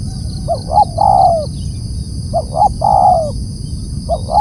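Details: Loud calling of a spotted dove: paired short coos, then a long, slightly falling coo, repeated twice with the start of a third. Low background rumble and a steady high-pitched hum are heard.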